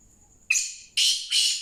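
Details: Black francolin from a February 2024 recording: a thin high whistle, then three loud, harsh, squawking notes in quick succession, each broad and rasping, with no other clear sounds.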